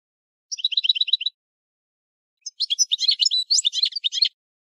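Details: European goldfinch singing: a quick, even trill of bright high notes, then a pause and a rapid, jumbled twitter of tinkling, chirping phrases. The background is otherwise silent.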